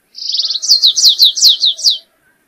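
A Stripe-tailed Yellow-finch sings a two-second phrase: a fast, thin buzzy trill, then about eight quick downslurred whistles. No other sounds.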